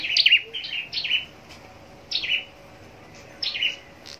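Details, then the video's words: Sparse contest song of a scarlet-backed flowerpecker: three short bursts of high, sharp chirps dropping into brief twitters, separated by about a second of quiet. "Chim Sâu Đầu Đỏ Hót Đấu"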